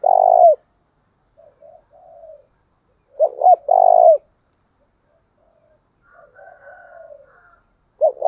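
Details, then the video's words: Spotted dove decoy giving deep 'tieng chim' coos to urge newly caught doves to call: a long burry coo, soft murmurs, a full phrase of two short notes plus a long coo, and another beginning. "tiếng chìm cu gáy mồi thúc bổi"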